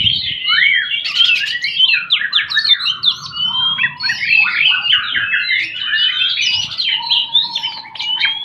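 An Oriental magpie-robin sings without pause, a rich run of quick slurred whistles and trills that swoop up and down. A faint low hum sits underneath.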